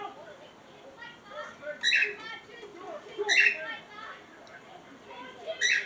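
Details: Pet cockatiels at play inside a box, giving soft warbled chatter and short whistled notes, with three louder harsh bursts spaced about every one and a half seconds.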